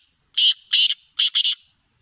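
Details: A kala teetar, or black francolin, sings one full phrase of four grating, buzzy notes, two evenly spaced then a tight double, loud and clear against a silent background.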